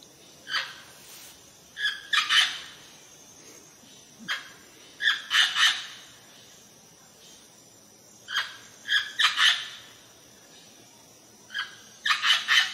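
Rose-ringed parakeet giving harsh, rasping screeches in bursts of two or three, with short pauses between groups over a faint background hiss.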